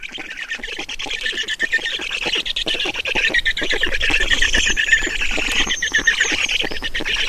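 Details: Feeding at a Black stork nest in Estonia brings a rising chorus of harsh, clipped squawks about 160 a minute, with a thin high whistle in the background.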